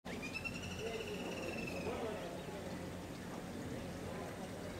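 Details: Brahminy kite at Baga Fields, Goa, in 2014, gives one long, thin, mewing whine that holds high and slowly falls for nearly two seconds, over a steady low hum and faint voices.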